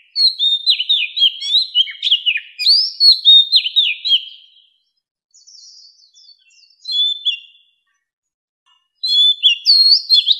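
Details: Old wild Oriental magpie-robin singing in 2020, recorded to lure wild birds: a long stream of varied whistled and chirped notes, quieter scattered notes in a lull, then another loud phrase.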